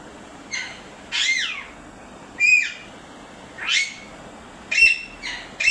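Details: Calling parrot: repeated scratchy squawks, several carrying a thin whistled tone, about six bursts at uneven intervals of roughly one second, with a faint steady hum behind.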